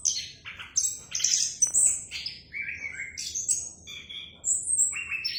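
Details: Rich, varied song of an orange-headed thrush, rapid whistles and chirps at high and middle pitch, with descending slurs, against faint background hiss.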